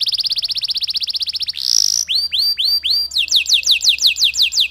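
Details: Canary in long song with pauses, intended to stimulate other canaries: a fast trill, a brief harsh buzz, then spaced upward-hooked whistles, followed by a quick run of sliding whistled notes.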